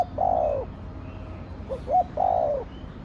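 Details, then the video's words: Spotted dove giving the kích bổi Thổ Đồng song: a long falling coo, a pause, then short rising hoots and another drawn descending coo, with faint distant chirping. "Cu gáy giọng Thổ Đồng Thúc, Gù kích bổi nhanh nổi"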